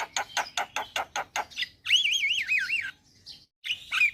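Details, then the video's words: Javan myna singing: a row of rhythmic rough notes, then a wavering warbled whistle and short squeaky notes. "Kicauan Jalak Gacor - Suara Jalak Kebo Paling Gacor"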